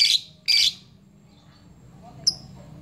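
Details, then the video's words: Lovebird doing ngepyak calls to summon a rival and set fighter birds singing: two short, harsh screeches half a second apart, then a thin, sharp chip after a pause, over a faint low hum. "Lovebird ngepyak Memanggil"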